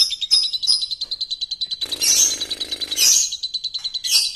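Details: Lovebird used as a lure song: rapid high chirps pulsing about once a second, broken by bursts of dense harsh buzzy trills.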